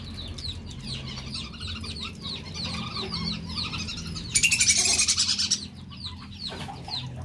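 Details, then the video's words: Male whistling duck recorded as a lure call, giving busy high twittering whistles in quick succession, broken midway by a loud burst of rapid flapping-like rustle lasting about a second, over a low background hum. "pikat belibis jantan"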